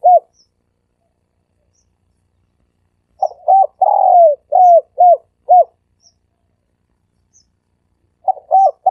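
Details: Coos of a dove used as a lure, 'sam kuk' type: one lone coo, then a phrase of short arched hoots with a long sliding note, and another phrase starting at the end.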